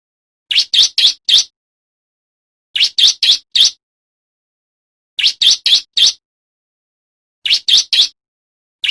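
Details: Male bar-winged prinia singing loudly, recorded for training other birds and luring wild ones: bursts of four sharp, high chirps, each burst repeated about every two and a half seconds, with clean silence between.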